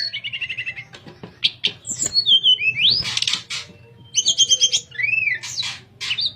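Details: Tledekan, the sooty-headed bulbul, sings flute-like 'nyuling' phrases for training other birds: a trilled series, sweeping whistled slurs and arched notes, interspersed with rasping bursts and short pauses.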